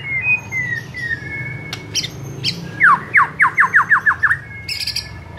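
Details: White-rumped shama song from a master recording used for training: soft sliding whistles, then a rhythmic series of about eight loud descending slurred notes, ending in sharp clicks.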